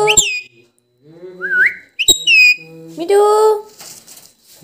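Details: Talking pet parrot, a tota, asking for roti: sharp whistled notes sweeping downward, a short rising squeaky phrase, then a longer voice-like harmonic call with a brief rustle at the end.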